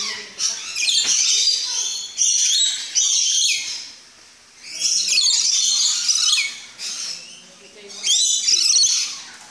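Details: Rainbow lorikeets (Trichoglossus moluccanus) in an aviary at a tropical park in the Netherlands, excited at feeding time: dense bursts of harsh, screeching squawks from many birds, rising and falling in waves every few seconds.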